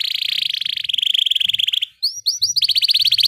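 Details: Canary roll: a continuous fast buzzy trill for nearly two seconds, a brief break, then a few upward swept whistles leading into another quick repeated trill.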